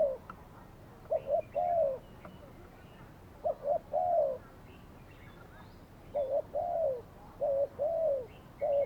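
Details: Captive decoy spotted dove calling while used for trapping; mellow coo phrases, a double stutter then a long falling note, in bursts separated by pauses, with faint twittering of small birds.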